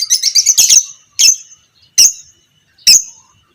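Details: Biola pb creamino fighter lovebird serving as a master recording to teach other lovebirds: a brief burst of fast piercing chatter, then three loud sharp shrieks spaced under a second apart.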